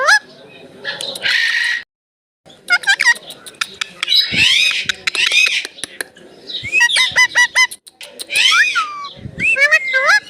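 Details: Talking Indian ringneck parrot, said to repeat "mitthu" and "mammi". Rapid raspy chatter and squawky syllables come in clusters, some sliding downward, with one brief silent gap near the start.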